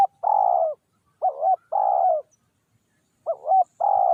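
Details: Decoy tekukur (spotted dove) cooing to attract wild doves. The long, burry coos alternate with short, rising, quavering notes, in irregular phrases separated by pauses.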